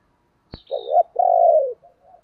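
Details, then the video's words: Spotted dove decoy calling. A sharp click comes first, then a short coo and a long steady purring coo that drops at the end. A soft trailing note closes the phrase. "Tiếng chim cu gáy mồi gáy gọi"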